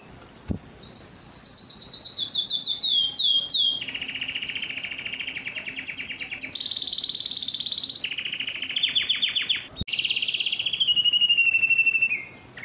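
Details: Song of a yellow canary, a varied chain of rapid rolling trills that shift between high and middle pitches, with a brief pause and sharp click near the end before a falling final trill.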